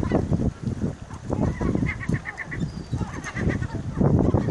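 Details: Seagulls fighting for food: a quick run of five or six short, harsh, evenly spaced calls mid-clip, with more scattered squawks later, over strong low rumbling wind or water noise.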